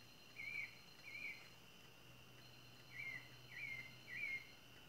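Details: Rufous-bellied thrush (sabiá-laranjeira, though the identification is uncertain) sings before nightfall: short, clear, slightly rising whistled notes, two then a pause then three, over a steady insect drone and low hum; an owlet is also calling.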